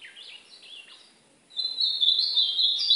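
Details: An ultramarine grosbeak in an hour-long song-training session, singing heatedly after 35 minutes: soft warbled phrases give way to a loud, sustained, buzzy high trill running unbroken for over a second; faint background hiss.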